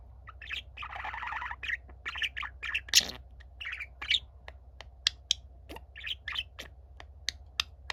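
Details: Younger pet budgerigar eager to be heard singing, older budgie staying quiet: dense run of buzzy chatter, scratchy warbles and clicks, one loud harsh burst in the middle, then sparser ticks and short chirps, steady low hum behind.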